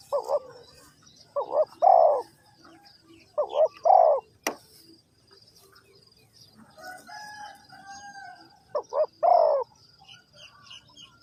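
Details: Spotted dove, with bird trapping in Vietnam as the setting, giving low hollow coos: pairs of short notes followed by a longer falling note, three phrases separated by pauses, with a sharp click and faint background hum.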